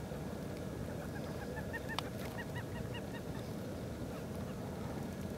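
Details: Great grebe at Jaguaruna, December 2011, giving a quick run of short, nasal honking notes, about a dozen in under three seconds, over a steady low rumble of wind or water.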